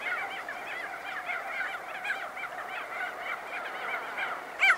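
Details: Crested auklets emerging from burrows amid wingbeats: many overlapping nasal, honking calls form a continuous chorus, and one loud sharp call bursts out just before the end.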